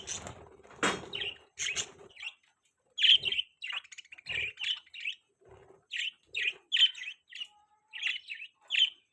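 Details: Budgerigars in a flock, a scratchy rasp early on, then a lively run of short bright chirps and chatter, many in quick succession.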